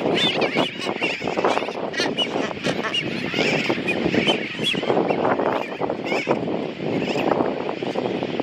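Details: Nesting blue-footed boobies feeding hatchlings at a Wake Atoll bird sanctuary colony give a steady stream of harsh honks and grunts, several birds overlapping with barely a pause over busy colony noise.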